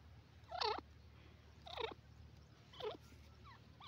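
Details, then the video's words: Dakhni teetar (grey francolin) giving loud, harsh calls with strong overtones, each a brief burst repeated about every second, over a constant low background hum. "beauti grey francolin awaz,dakhni teetar sound"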